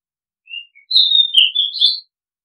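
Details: Song of an Oriental magpie-robin (nok kangkhen ban): a quiet high note and a soft chip, then a loud, pure whistle gliding down into tumbling warbles and a closing bright, rich whistle. The phrase lasts about a second, with silence around it.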